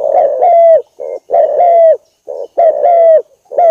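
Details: Lure call of the spotted dove, tekukur or derkuku, used to attract birds: overlapping hollow coos mixing clear, ringing phrases with duller short notes in a quick repeating rhythm.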